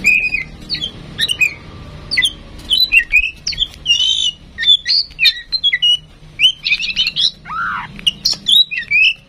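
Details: Tame female oriental magpie-robin, kept to prompt other birds to sing, delivering a lively varied song of short whistled slurs, rising and falling notes and sharp chips, packed densely with brief pauses throughout, against a quiet background.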